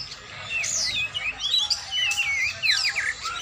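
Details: Kacer, the oriental magpie-robin, practising its song: separated whistled phrases of looping up-and-down slides and bright chirps, with short pauses between bursts, and a faint background hum.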